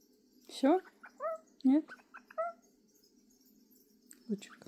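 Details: A little owl kept indoors sings a run of short, mewing notes that slur upward, about one a second, then a final soft call against a quiet indoor hum.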